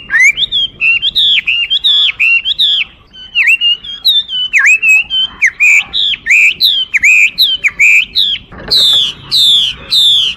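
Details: Chinese hwamei song: loud, varied whistled phrases, slurred up and down and repeated in quick runs, rising into higher sweeping notes near the end.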